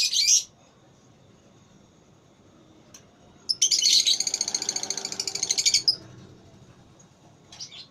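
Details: Lovebird in a singing contest (voice battle), with a high, sharp chirp, then a long rapid trill of about two seconds, then another brief chirp, over a quiet indoor background.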